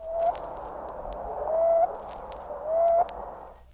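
Common Ground Dove giving soft, low, slightly rising coos, three notes spaced over a second apart, over a steady hiss.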